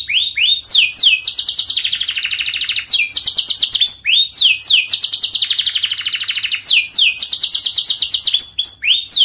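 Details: Fast, long canary song for training juvenile canaries: cycles of steep downslurred notes leading into sustained buzzy rattling trills, repeated several times without a break.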